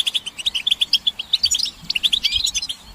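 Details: European goldfinch twittering used to stimulate males to sing: quick, bright, liquid chirps in a rapid string, about eight notes per second, with a few rising slurred notes near the middle.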